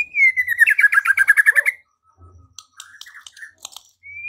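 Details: White-rumped shama in provoking song: a clear descending whistle runs straight into a rapid rattling trill, then soft scattered notes and a final rising whistle.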